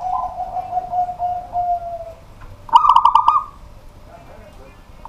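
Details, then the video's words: Local zebra dove singing at night in a busy household: a run of soft, slightly falling coo notes that slide lower, then a brief pause and a higher, fast rolling trill accompanied by rapid clicking. "BURUNG PERKUTUT LOKAL GACOR DI MALAM HARI"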